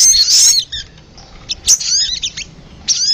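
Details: Piercing high chirp burst from a sogon lure recording, followed by softer thin twitters and a final sharp note.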